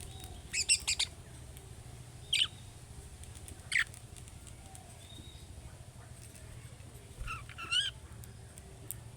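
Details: Budgerigar giving young birds' calling-style calls meant to make other budgerigars answer: short harsh chirps, a quick double burst then single chirps spaced a second or more apart, over a steady low hum.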